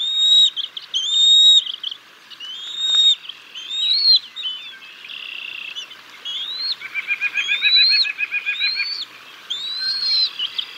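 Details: Bald eagles at the Decorah North nest on 6 May 2022 while chicks are fed a fish: high squealing whistles, some rising, then a fast stuttering chatter of rapid repeated notes.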